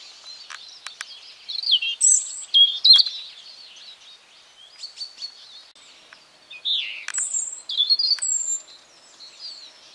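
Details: Spring song of a European robin in a garden, delivered as short separate phrases of thin high whistles, trills and downward-sliding notes, with pauses of a second or more between them and a few faint clicks.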